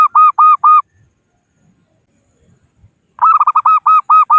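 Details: A local zebra dove calls out to rivals as a trapping lure: three loud evenly spaced coos end one phrase, then after a pause a fast tumbling series of about eight ringing coo notes.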